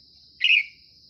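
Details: In the morning, during bulbul trapping with a caged decoy, a Red-whiskered Bulbul gives a single short, bright whistled note that slurs slightly downward, over a steady high insect drone.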